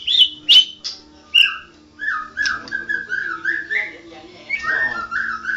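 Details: White-rumped shama, a national champion, singing a continuous rolling ngerol song. Sharp clicking high notes open the passage, then a long flowing string of short, slurred whistles, rising and falling in quick succession, with a low background hum.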